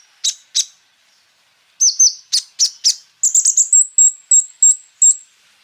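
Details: Kolibri ninja sunbird singing a lure song to set other sunbirds singing. Sharp high chips, a pair of wavering whistles, then a rapid series of clear high notes spaced about a third of a second apart.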